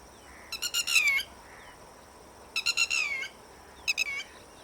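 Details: Red-wattled lapwing giving three quick bursts of piercing, metallic notes in rapid series, the first two long and insistent, the last short, in a quiet background.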